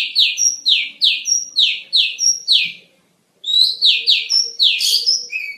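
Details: Oriental magpie-robin, locally kacer, in a master song for training songbirds: a steady run of ringing down-slurred whistles about four per second, a brief pause, then rising and falling whistles with a rougher note.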